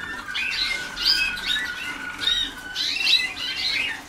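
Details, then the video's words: Waterslager canaries under song training give rough, warbled high phrases in loose groups with a constant lower trill beneath, several young birds singing together. "Alumnos de la Escuela de Canto"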